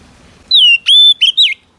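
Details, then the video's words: Female Oriental magpie-robin whistling to excite a male: a long descending whistle, a sharp upslurred note held steady, then two short twisting whistled notes. "Chòe than mái HUÝT KÈM THÚC TRỐNG kích trống căng lửa"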